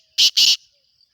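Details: Black francolin (kala teetar) calling in the breeding season: two loud, harsh, rasping bursts in quick succession, the second longer, over a faint high hiss of insects.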